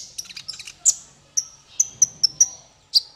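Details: Male kolibri ninja sunbird, or konin, singing for songbird training: a soft twittering flutter, then a series of clear, sharp, very high chirps spaced about a quarter to half second apart.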